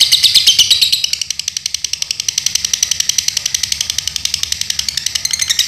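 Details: A lovebird, called a Dunhil and a newcomer, from Paduraksa, Pemalang, Central Java, Indonesia, pours out a long, fast, shrill chattering twitter of many clipped high notes a second in an unbroken stream, with faint room noise behind.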